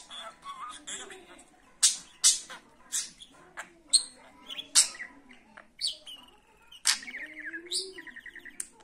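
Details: Pet budgerigar chattering in a busy mix of sharp clicks, scratchy squawks and short warbled notes, ending with a rapid buzzy trill; the sounds come in uneven bursts.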